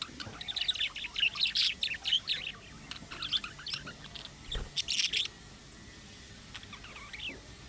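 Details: Budgerigars warbling and chirping in chick-like calls meant to draw answers from other budgerigars: busy high chatter for five seconds, then quieter scattered chirps.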